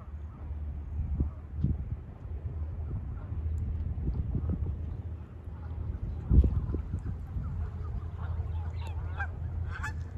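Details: Geese crowded on a pond honk in scattered bursts, with a loud strident call near the middle and a quicker run of harsh, harmonic honks toward the end, all over a constant low rumble.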